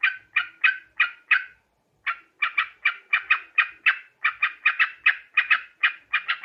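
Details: Sooty-headed bulbul lure sound for trapping birds. Loud single chattering notes repeat about three times a second, with a half-second pause near two seconds. The background is quiet.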